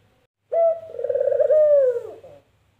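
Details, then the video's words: One complete puter dove call in the "empuk jeruu" pattern: a brief clear note, a short pause, then a long rolling coo that falls at the close. The call is low-pitched and clean, with little background. "Suara Burung Puter Empukjeruu"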